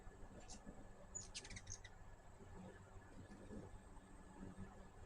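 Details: Quiet hummingbird chatter at a feeder: a single high tick, then a brief cluster of rapid, thin, sharp notes under a second long, over steady low background rumble.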